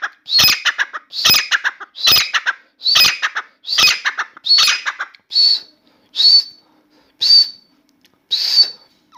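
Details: Indoor Grey francolin (Dakhni teetar) in long continuous song: six loud, raucous stuttering phrases at a steady pace, then four thinner, simpler high whistled notes spaced roughly a second apart.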